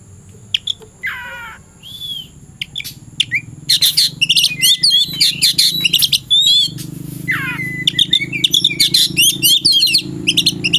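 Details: Oriental magpie-robin ready to fight, searching for an opponent in the afternoon: a few whistles and a rasp, then a dense, rapid stream of high varied twittering and whistled notes, with a low hum underneath.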